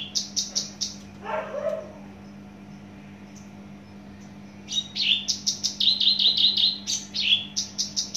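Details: Javan bush lark from Java singing rapid bursts of high, clipped notes, then a brief pause with a low rough noise, before resuming with quick repeated chirps, a short trilled stretch and sliding whistles.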